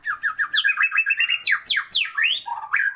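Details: Female Oriental magpie-robin calling to a male to raise his breeding drive: a rapid, continuous run of short chirps and sweeping whistled notes that slide up and down, several per second, with a few sharper downward strokes near the end.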